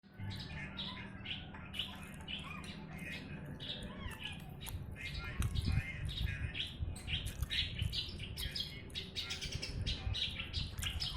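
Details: Javan bush lark from Jombang, East Java, Indonesia, singing nonstop as a tutor recording for training other birds: a dense run of sharp chirps and squeaky notes, with steady low rumble and some voices underneath.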